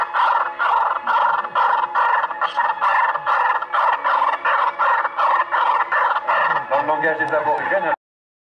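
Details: Laughing kookaburra (Dacelo novaeguineae) at a zoo in Upie, Drôme, France, gives its loud, hoarse laugh: harsh chuckling notes about two or three a second, breaking into a rolling cackle near the end.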